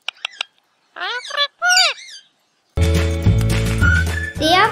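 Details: A Rose-ringed parakeet, in Sri Lanka, mimics human speech: a few sharp clicks, then two short speech-like phrases with rising and falling voiced tones, before music takes over.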